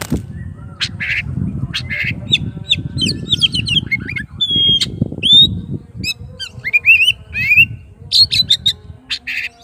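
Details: Rival-calling song of an oriental magpie-robin: a busy, varied stream of sharp chips, short whistles and buzzy notes over nearly ten seconds, with constant low-pitched rumbling noise underneath.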